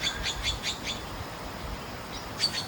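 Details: Several red-billed blue magpies call from trees above a footpath near a hidden hillside village in Sha Tin, Hong Kong, mostly unseen. A quick series of harsh high notes, a pause, then another short burst, over steady background hiss.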